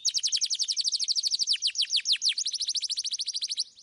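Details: Domestic canary, 'kenari gacor' rolling song for young birds to learn from: a continuous fast chattering trill with deep dipping notes, faint low ticks underneath.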